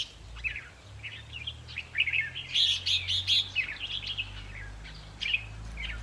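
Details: Red-whiskered bulbul, trap-cage decoy session meant to excite caged birds: sparse warbles build into a dense burst of sharp chips and gurgling phrases, then thin out, over a steady low hum.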